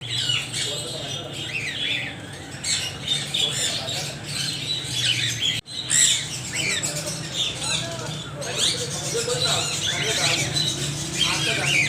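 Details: Parrots calling loudly together, a dense overlapping wash of harsh, high squawks and chirps that runs without pause, broken only by a brief cut near the middle, over a low steady hum.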